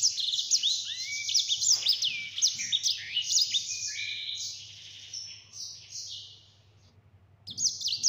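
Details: Yellow-fronted canary (sanger) in lively gacor form, delivering a clear ngeroll rolling song: high rapid trills, sliding whistles and buzzy notes in fast succession, fading near the end before a brief final burst, over a faint low hum.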